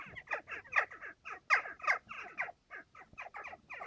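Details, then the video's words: Western jackdaws nesting in a chimney, recorded through an air vent, give quick, harsh 'chack' calls, about three a second, that overlap into a busy chatter. "Jackdaw sound effect"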